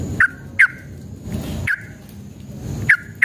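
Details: Yellow-vented bulbul singing as a lure to make caged birds sing back. A few sharp, downslurred whistled notes are spaced irregularly, with short gaps and low background hum between them.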